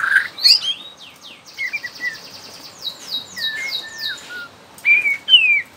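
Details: Young wild white-rumped shama from the Borneo forest, used to prompt other shamas to sing, giving scattered high swept notes and a few clear whistles over a soft hiss of background.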